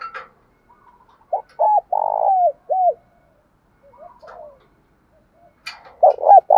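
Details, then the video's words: Spotted dove coos from male and female birds, used to stir kept doves into calling: a short double note, then a long throaty burr falling at the end, with another hurried coo near the close. "tiếng chim cu gáy kích bổi hiệu quả hàng ngày"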